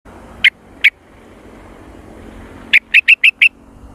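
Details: Yellow-vented bulbul, locally trucukan, in the jontrot style: two sharp, clipped notes, then a quick burst of five bright chirps after a pause, over a faint low hum.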